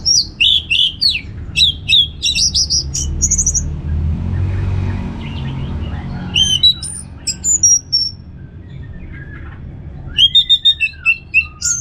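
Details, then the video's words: An orange-headed thrush (Geokichla citrina, anis merah), played as a song to prompt other birds to sing, sings rich, varied bursts of high whistles and rapid twittering, pausing briefly midway, over a steady low rumble. "$uara ANIS MERAH Ngeplong"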